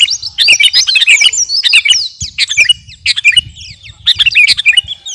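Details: Actively singing garuda sooty-headed bulbul giving quick runs of high, twisting whistles and sharp tweets in short phrases, with faint low thumps behind.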